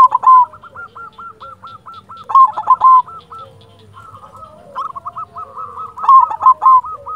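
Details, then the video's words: Silver zebra dove of local stock in full song. A loud rolling coo opens the clip, then long strings of quick, evenly spaced hooked notes follow, punctuated by stronger bursts. "Perkutut silver gacor"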